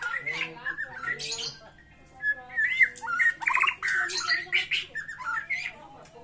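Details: White-rumped shama in a fighting, varied song style with rich mimicked phrases, used as a lure for shamas that have stopped singing; varied whistles, rasping notes and quick trills in bursts with short pauses between.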